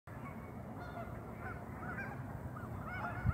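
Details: A flock of over a thousand geese on a pond, calling together in a dense chorus of overlapping nasal honks over a steady low rumble.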